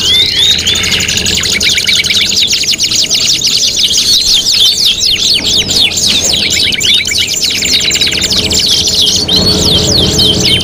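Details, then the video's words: Competition tutoring recording of canary song, five materials combined: long, steady chorus of rattling trills and zigzag chirps, shifting in speed, with a steady low hum underneath. "MASTERAN KENARI MATERI GANTANGAN LOMBA 5 IN 1 | CANARY SINGING"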